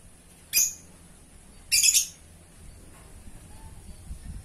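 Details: Lovebird singing gacor: a single sharp, high shriek, then a longer grating, buzzy burst a second later, followed by quiet background rustle.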